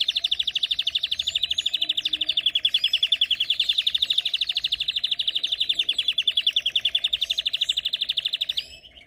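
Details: Canary delivering a long, sustained rolling trill of rapid, evenly pulsed notes for about nine seconds, with faint high twitters over the top, ending abruptly.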